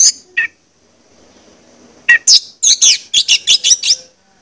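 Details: Song of an orange-headed thrush, played as a stimulus to make birds sing: two isolated high notes, a quiet gap, then a brisk series of about eight loud, varied buzzy whistles.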